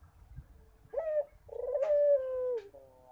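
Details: Barbary dove calling frequently: a short mellow coo followed by a long drawn-out coo that holds a fairly level, slightly wavering pitch before fading, in a quiet small room.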